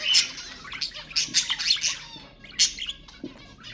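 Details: Lively budgerigar warbling meant to encourage budgies: a dense burst of loud, rasping chirps in the first two seconds, then softer twitters and a final sharp squawk.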